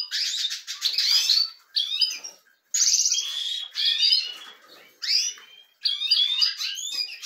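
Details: Captive European goldfinches from a canary-breeding room, warming up, sing short bright phrases of twittered notes and slurred whistles, each about a second long with pauses between.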